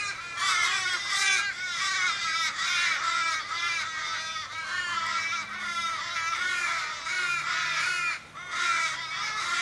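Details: Many Australian ravens, more than fifteen, crowd around a stricken flockmate in a Sydney suburban street in winter, calling continuously: a dense chorus of overlapping, wailing, nasal caws with falling tails and almost no pauses.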